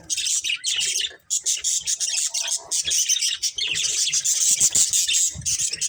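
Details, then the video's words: Continuous high chatter from a budgerigar breeding pair, a dense stream of rapid, scratchy chirps and clicks with barely a pause, interrupted by one brief silence after the first second. "Cute Budgies Chirping Sounds"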